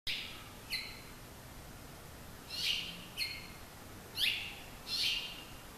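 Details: Male and female house finches in suburban San Marcos, California sing to each other, curious rather than alarmed, trading short, bright chirps and slurred notes in scattered high bursts every second or so over a quiet background.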